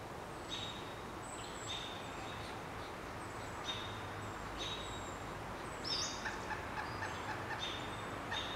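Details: At a nest around 25 feet up a dead snag, pileated woodpecker chicks one day from fledging call while a parent answers: a loose run of brief, sharp notes, some doubled, set against constant outdoor hiss.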